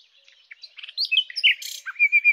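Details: Common nightingale (Luscinia megarhynchos) singing a short, varied phrase of high chirps, rising notes and a brief buzzy burst, ending in a string of level whistled notes.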